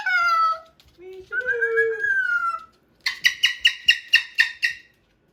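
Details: A pet Moluccan cockatoo indoors with a new box and toy truck goes from quiet singing to a loud full-volume scream: two drawn-out tonal wails, then a rapid run of about eight sharp squawks, roughly four per second.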